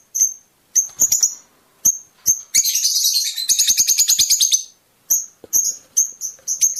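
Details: Fischer's lovebird song meant to encourage mating, with single piercing high chirps, then a long fast rattling chatter of repeated notes lasting nearly two seconds, then more quick chirps.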